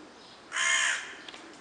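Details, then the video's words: Crow giving a single harsh, hoarse caw lasting about half a second, broad and raspy, followed by quiet background. "Крик вороны"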